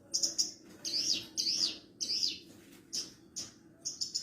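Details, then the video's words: Javan bush lark of the parva form giving training song for other larks: short, high, buzzy rasping phrases separated by brief gaps, a few sharp clicks between, delivered in an uneven rhythm. "MASTERAN BURUNG BRANJANGAN PARVA"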